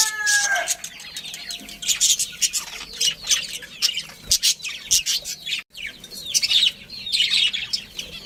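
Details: A colony of pet budgerigars, including a breeding pair, keeps up a continuous scratchy chatter of rapid chirps and warbled squeaks, rising and falling in bursts.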